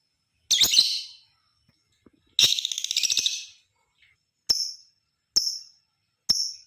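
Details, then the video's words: Lovebird chattering used as a lure to start other lovebirds singing. Two harsh, shrill bursts, the second longer and rattling, followed by three short sharp high chips spaced almost a second apart. "Suara Masteran burung Lovebird, Ampuh bikin lakbet ikut bunyi, ngekek panjang pancingan LoveBird"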